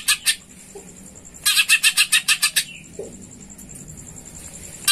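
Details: Greater green leafbird song meant to prompt other birds to sing: a quick run of about ten sharp, bright notes in a row, then scattered single chips, with a continuous high-pitched hum behind.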